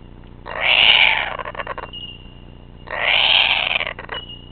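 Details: A kookaburra on the attack gives two harsh, raspy screeching bursts, each over a second long and about two seconds apart, ending in rough pulsed notes.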